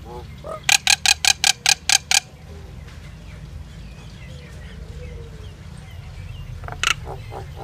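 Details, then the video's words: Singing common myna delivers a rapid burst of about eight rasping, buzzy notes, then falls mostly quiet except a few faint chirps and one more short harsh phrase near the end. "Common myna bird song Indian myna sound | mynah singing"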